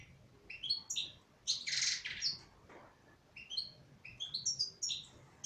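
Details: Female European goldfinch singing in captivity: bursts of bright twittering notes, short liquid chirps and a dense buzzy rasp around the middle, phrases separated by brief pauses.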